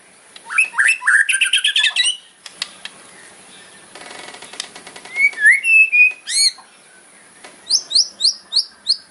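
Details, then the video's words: White-rumped shama singing a sharp fighting song meant to provoke rivals: rapid rising whistled notes and trills, a harsh rattling burst midway, then a run of quick downslurred high whistles. "KRETEKAN MURAI KERAS FIGHTER ISIAN TAJAM BIKIN LAWAN EMOSI"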